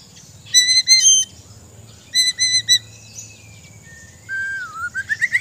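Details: White-rumped shama from Borneo singing bursts of rapid, high, stacked ticking notes in two groups, then a long thin whistle sliding down and a quick rising run at the close.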